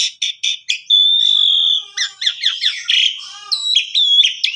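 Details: Asian pied starling (jalak suren) song used as a master recording to train canaries: four short whistled notes, then a long steady whistle, followed by rapid varied chattering and squeaky phrases, ending in ringing high whistles.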